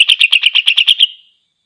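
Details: Greater green leafbird in full gacor voice, used to rouse other leafbirds to anger: about nine quick, ringing, slightly buzzy notes in a steady pulse, ending in a thin fading tail, the background otherwise silent.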